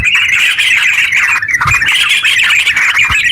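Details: Yellow-vented bulbul singing rapid ngeropel song to prompt other bulbuls to sing, a thick run of chattering notes with a brief dip in the middle.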